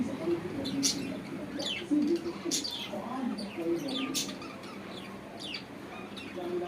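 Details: Pet cockatiels fighting again, trading sharp, rasping squawks and quick chirps as they squabble.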